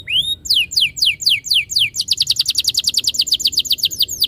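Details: Training lure of canary song: a rising whistle, then a run of high downslurred notes that tighten into a fast, steady trill.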